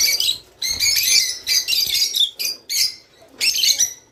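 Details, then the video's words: Rice finch song, played to get birds to mate: bright, clustered chirping bursts, high and buzzy, coming in about five separate phrases with short silent gaps between them. "تغريد روز / صوت روز/حفزطيورك علي التزاوج"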